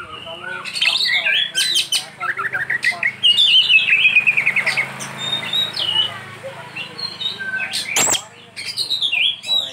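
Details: Oriental magpie-robin, locally kacer, singing an isian song: a rapid series of descending chirped notes and mixed warbles over a soft background hiss, broken by a sharp click near the end.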